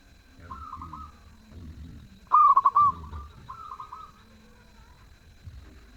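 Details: Zebra dove in melodious full song, giving one loud phrase of quick, tumbling coo notes that ends in a sustained tone, with fainter answering coos before and after and low background rumble.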